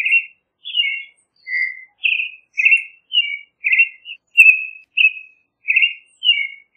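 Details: Creamy-bellied thrush singing a steady run of short, clear whistled phrases, each about half a second, sliding slightly up or down, delivered in an even rhythm with brief gaps and no other sounds.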